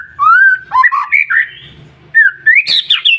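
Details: White-rumped shama song meant to draw responses from other birds in the morning: a smooth rising whistle, warbled twists, a pause, then up-slurred notes ending in a harsh, high burst.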